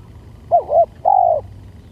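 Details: Lure recording of a spotted dove giving one phrase of two brief rising-falling coos and a sustained, gently descending final coo, quiet low hum behind.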